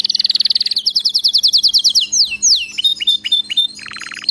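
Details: Canary singing, recorded for training a pet canary to sing nonstop: a fast rolled trill of repeated notes, then descending swooping whistles and a lower buzzy rattle at the close, with faint background hum.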